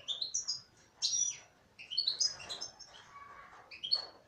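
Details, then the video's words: Female goldfinch song: rapid, high-pitched chattering twitter with sweeping whistles and buzzy notes in quick phrases, one short pause midway. "تغريد انثى حسون"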